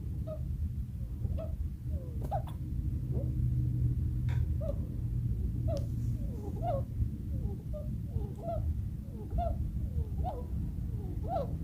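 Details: A female Bourke's parakeet, sick since early 2022 and boarded at a vet in August 2022, makes wheezing, audible breathing of unknown cause: short, squeaky clicks about once a second over a low indoor hum.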